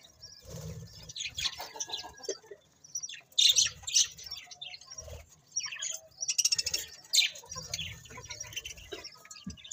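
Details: Budgerigars chatter busily, producing dense clusters of high, scratchy chirps and squeaks in uneven bursts, with brief pauses between the louder flurries.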